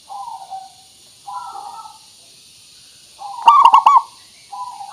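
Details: Local zebra dove lure recording: soft drawn-out coos, then one loud rolling phrase of four quick notes, then another soft coo.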